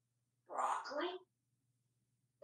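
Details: Talkative pet African grey parrot, hatched June 15, 1997, living indoors in a home in Texas and placing its lunch order, speaks one raspy, human-like word lasting under a second, followed by silence in a quiet room.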